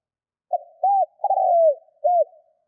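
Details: Spotted dove kept as a 'thúc' decoy, cooing to provoke wild doves during decoy training: one mellow, hollow phrase of four notes, a short coo, a rounded note, a longer sliding coo and a final rounded note, in clear quiet.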